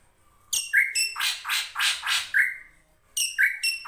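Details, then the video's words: Ashy drongo, called krantil saeran, singing energetically in a recording meant to prompt kept birds to sing: high stacked chirps, a flat whistled note, then four loud buzzy rasping bursts, another whistle and more chirps after a brief pause. "SRIGUNTING KRANTIL SAERAN GUNTING GACOR"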